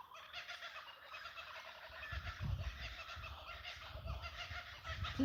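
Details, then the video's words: Kookaburras laugh in a raucous, unbroken chorus of rapid cackles and chuckles from the trees by the paddocks of an Australian homestead, over low wind rumble and a few handling thumps. "That's a kookaburra you can hear."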